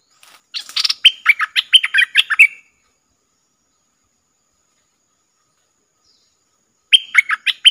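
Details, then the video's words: Streak-eared bulbul used as a decoy bird to attract wild birds, recorded 3 June 2021: two bursts of rapid, bubbly notes sweeping up and down, the first about two seconds long, the second starting after a long silence. "เสียงนกดอกแตงEp.55 นกต่อ ถึงกับ งง??|Birds sounds"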